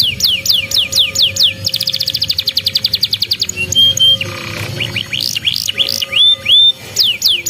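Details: Young-canary training lure of canary song; falling whistled notes give way to a very fast even trill, then short pure whistles, rising slurs and more descending notes, with a faint steady hum beneath.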